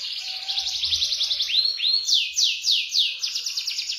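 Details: A canary in full song: a fast buzzy trill, then a pair of clear upward-sweeping notes, followed by a series of loud descending slurred notes, each repeated about three times a second.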